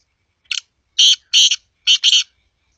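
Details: Black francolin (kala teetar) calling: a harsh, rasping phrase of grating notes, a short first note, then two longer buzzy bursts and a final doubled note, all within about two seconds, with no other sounds.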